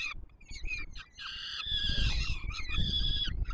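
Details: Peregrine falcon chicks begging while the adult male feeds them at the Palace of Culture and Science nest in Warsaw, Poland, 7 July 2022; harsh, harmonic, wheezy screeches in overlapping bursts over low rumbling background noise.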